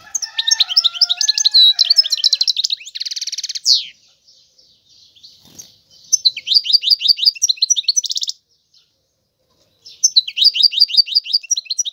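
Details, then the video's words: Song of a European goldfinch: fast liquid twitters mixed with buzzy, rattling trills, delivered in three bursts with short silences between. Faint, lower whistled tones run underneath at the start. "تغريد الحسون هو اجمل صوت العصافير"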